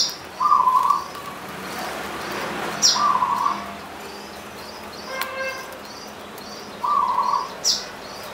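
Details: Perkutut punden, a zebra dove from the slopes of Mount Slamet in Banyumas, delivers three separate burry cooing phrases spaced a few seconds apart, with soft high chirps from other birds and constant rustling background noise.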